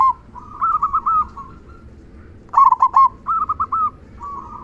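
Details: Singing local zebra dove with a strong "kung" voice, played to provoke other doves into song: short groups of rapid, rolling coos separated by quiet gaps, with an even drawn-out note trailing off.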